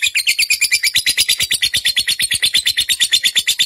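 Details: Pet fighter lovebird chattering as a bait call to provoke song in other kept birds: a rapid, even string of shrill, buzzy notes, about three a second, with no break.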